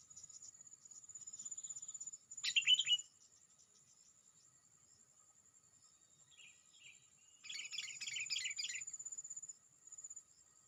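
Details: Sooty-headed bulbul calling to rival bulbuls, which answer it: one loud, sharp, dropping note, a soft pair of notes later, then a dense chattering burst of about a second, with a constant high insect-like whine throughout.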